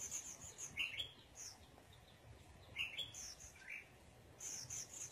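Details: Red-whiskered bulbul sunbathing, with a few short slurred whistles about every two seconds over steady high chirping from other birds.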